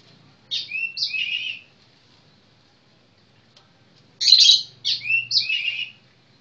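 Oriental magpie-robin singing two short bursts of rich, varied whistles and slurred notes, each about a second long, with a pause between.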